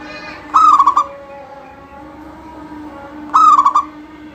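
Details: Local zebra dove singing in full voice, used to set other doves singing: two cooing phrases about three seconds apart, each a long rising note dissolving into three or four quick stuttered coos, over a steady low electrical hum.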